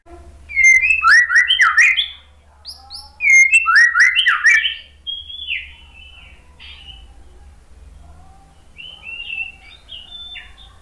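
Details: White-rumped shama lure song, used to prompt a silent, stressed bird to answer: two loud bursts of rich, varied whistled phrases with sharp chips, each about one and a half seconds long, then softer, thinner warbled notes trailing off.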